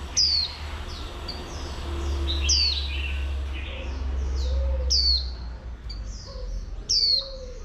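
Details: A female oriental white-eye calls to excite males: bright falling whistles at the start, middle and end, mixed with jumbled twittering phrases, over a heavy low rumble.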